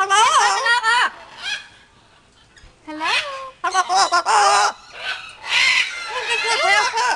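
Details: Yellow-naped amazon parrots vocalizing in human-like speech bursts, rich harmonic syllables with upward and downward glides, separated by short quiet gaps, some harsher squawk-like notes mixed in.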